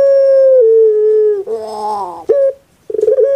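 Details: Kept puter pelung dove, a type famed on Java, Indonesia: a long level mid-pitched tone with a slight drop, then a rough gurgling warble and a short clipped note, followed by a brief pause and rattling notes.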